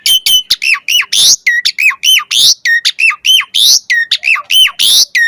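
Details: Asian pied starling lure song with fill variations: a fast rhythmic series of sharp, hooked whistled notes alternating with harsh rasping bursts, repeated about every half second, used to make starlings answer.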